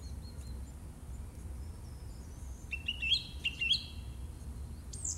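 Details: A song thrush in March 2018 gives bright whistled phrases of quickly repeated notes rising and falling, with faint high chirps and a low background rumble.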